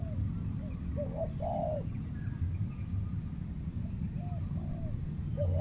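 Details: Spotted dove at a banana plantation, a fierce dominant bird holding the site and challenged by a trained decoy dove during trapping; several soft, low, rounded coos spaced across the clip over steady low rumbling background noise.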